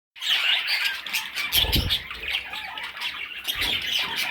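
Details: Parrot chicks giving a dense, continuous raspy chatter of overlapping squawks and chirps, with a brief low rumble in the middle.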